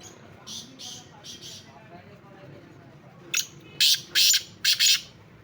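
Black francolin giving a loud, harsh, grating burst of five clipped notes in quick succession, after a few fainter scratchy notes.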